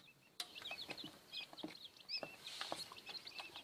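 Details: Freshly hatched quail chicks in an incubator, first brood, making rapid thin high cheeps and short whistled peeps over a low hum, with occasional knocks.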